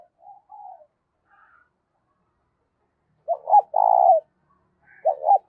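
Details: Spotted dove coo for rousing decoy birds: one full phrase of two quick hoots and a long purring note, then the start of another, after a faint softer coo at the beginning.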